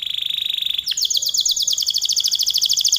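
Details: Canary in full, vigorous song, a long-running Indonesian style: a steady buzzy trill at one pitch breaks into faster, higher rolling notes repeated many times a second, loud and clear over a quiet background.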